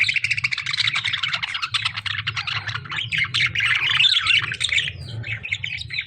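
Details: Lovebirds clashing with budgies, a rapid, continuous stream of high chirps and chatter, about three to four notes a second, loud and busy throughout with a few squeakier rising notes toward the end.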